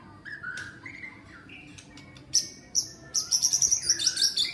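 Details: Wild-caught white-rumped shama, one week in a cage and being tamed, tail 16 cm; mellow slurred whistles give way to a fast run of sharp, very high repeated notes and bright clicks.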